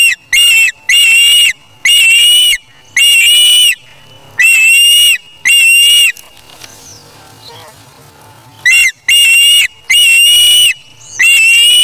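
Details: Charlo nest, August 3, 2017: an osprey chick self-feeding after taking fish from its parent gives repeated loud, strident whistles about once a second, with a quieter pause midway.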